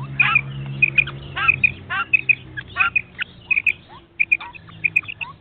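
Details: Hunting call of the common quail. High doubled notes repeat rapidly over a low humming drone, mixed with lower downward-sliding whistles between the pairs.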